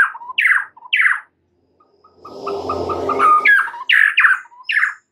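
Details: Loud, descending whistled slurs from a white-rumped shama in the morning, broken midway by a rough, noisy rustling stretch, then more emphatic downslurred notes.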